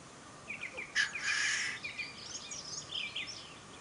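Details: A displaying (lekking) black grouse in the Ammergau Alps in May gives one loud, breathy hissing rush of about half a second, over faint chirps from other small birds and a steady outdoor hiss.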